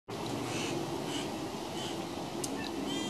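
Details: Baby currawong, one of three young seen in trees around a house, all wanting food: harsh, raspy calls repeated roughly every half second over a steady background hiss.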